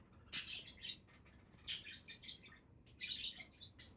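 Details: Several budgerigars chattering in quick runs of bright, high chirps and scratchy twitters, with bursts every second or so over low background hiss.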